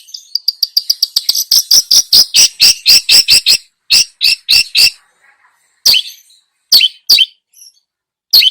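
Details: Long-tailed shrike in full lure song packed with mimicked fillers: a fast run of short sharp ticks speeding into loud buzzy chattering bursts, then spaced harsh notes with pauses between them.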